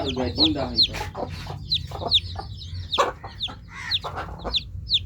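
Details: Newly hatched chicken chicks chirping: a steady run of thin, high, downward-slurred peeps, roughly two or three per second, mixed with broader clattering noises in the background.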